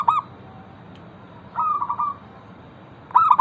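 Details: Local zebra dove singing to encourage other zebra doves to start calling. Three mellow cooing phrases: a short burst of clipped notes, a longer purring roll, then another sharp burst. Faint continuous hiss throughout.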